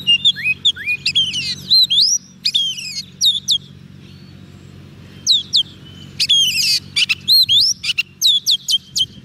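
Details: Oriental magpie-robin kept on soft food sings to call wild birds; lively sweeping whistles and chirps for two seconds, a long hushed gap with low hum, then renewed loud, sharply rising whistled notes in quick succession.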